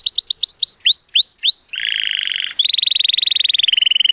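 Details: Male Timbrado Español canary, born 2018, rated 83 points, sings on a sunny day: quick rising slurred notes repeated, then a dense buzzy trill, then a rapid metallic rolling trill.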